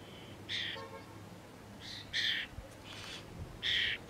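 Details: Young starlings squawking to be fed by older starlings; four harsh buzzy squawks spaced over four seconds, with faint low rumble of traffic in the background.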